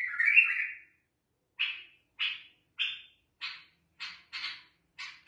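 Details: Bulbul in the "full and alif tina" singing style: a single warbled phrase, then a string of short, clipped chirps roughly every half second after a pause.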